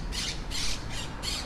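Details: Wild Monk parakeets at a large communal nest built in trees: four loud, harsh, raspy squawks in quick succession, about three per second, over faint low background rumble.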